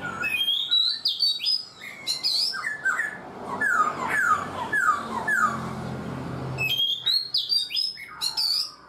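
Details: Black-throated laughingthrush, caged four months, pouring out clear downslurred whistles in quick succession, some notes repeated in a falling run, with a low hum underneath.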